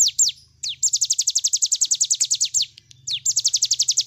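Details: A cigun bird sings its 'nembak' song as a training recording: repeated fast volleys of piercing downslurred notes, a few swooping lead-in notes, and a faint low hum in the background.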